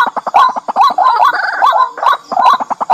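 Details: White-breasted waterhen giving loud, gurgling, croaking notes in a rapid, uneven run of about two or three per second, with wavering mid-pitched tones; a lure call from a rice-field/marsh bird, used day and night.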